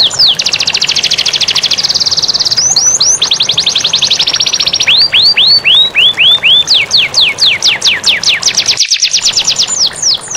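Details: Clear canary song for training lazy canaries to sing, set against flowing water: long rapid trills, then a run of rising-falling looped whistles, then steeply falling notes and another fast rolling trill.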